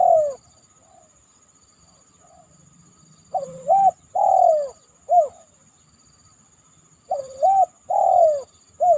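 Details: Spotted dove (tekukur) calling after heavy rain from a banana trunk, used as a lure call: two phrases of three to four mellow coos, each ending in a long falling coo, separated by a pause; steady faint high hiss throughout.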